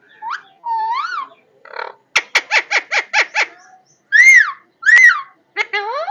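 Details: Parrot mixing soft whistles and a wavering note, then a rapid burst of seven harsh squawks, followed by two loud arched calls and a final buzzy pair.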